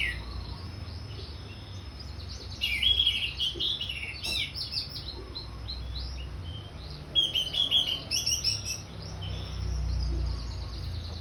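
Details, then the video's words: Orange-headed thrush giving ngeplong song: two loud phrases of quick, varied whistles and chattering notes, each lasting about two seconds and separated by a quieter stretch of soft twittering. "Anis merah ngeplong"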